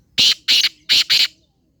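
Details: Black francolin calling: four loud, harsh, squawking notes in quick succession within about one and a half seconds, the last two closely paired, with no other clear sounds.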